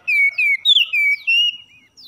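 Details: Oriental magpie-robin song played in the morning as a training recording to stir caged birds into singing: five loud, clear whistled notes, each held and gently falling, with a brighter, higher note in the middle; otherwise silent.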